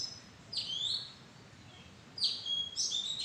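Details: Oriental magpie-robin within mada trees: two clear bursts of high, downslurred whistles, each followed by a level sustained note, separated by a short quiet gap with soft background hiss.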